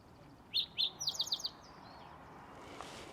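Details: A bird in the Santa Fe Botanical Gardens on Museum Hill, in the juniper high country of New Mexico, sings two bright, high chirps, then a quick run of five sharp, high notes within about a second, over a faint outdoor hush.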